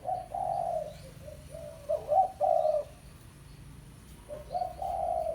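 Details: Spotted dove, pesom tekukur, calling a rival for luring: low husky coos in a first burst, a stuttered double coo in the middle, then a long gap before a final drawn-out coo.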